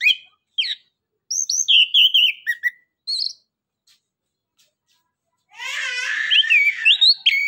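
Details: Orange-headed thrush giving 'nembak, ngeriwik' song to prompt silent birds to call: scattered sharp whistles and a descending warbled phrase, a pause, then dense rasping noise overlaid with high looping whistles.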